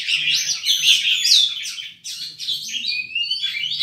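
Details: Oriental magpie-robin in vigorous, nonstop song: tumbling mix of whistles, trills and chatters with rising and falling slurs, low background hum throughout.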